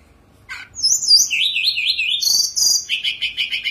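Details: Perched Sunda robin in full song with elaborate fill-ins: a sharp chip, then sliding wavering high whistles, buzzy high bursts and a fast run of repeated chirping notes about three per second, loud and clear.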